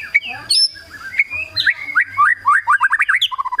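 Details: Kretekan style song of a white-rumped shama, aimed at provoking rival birds to sing: a varied rush of slurred whistles and chirps building into a fast run of rapid, evenly spaced crackling notes, then a low whistled ending.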